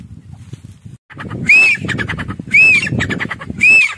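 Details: Grey francolin from Pakistan calling: three loud, clear, arched whistled notes, each rising and then falling. They repeat roughly once a second over low rumbling background noise.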